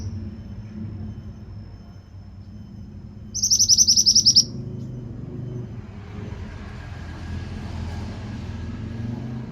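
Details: Actively singing pied bushchat, training recording: a single quick burst of sharp, high, rattling notes lasting about a second, followed by silence against a low rumbling background and a soft hiss.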